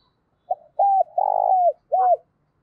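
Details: Morning flock-calling coo from a spotted dove decoy bird: a clipped opening note, a held level coo, a long vibrating middle coo and a short arched final note.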